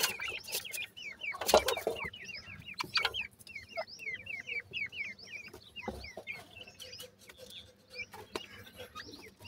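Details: A brood of Sindhi teetar (francolin) chicks keeps up a steady chorus of quick, high, rising cheeps, roughly forty a minute, broken by a couple of loud thumps and crackles.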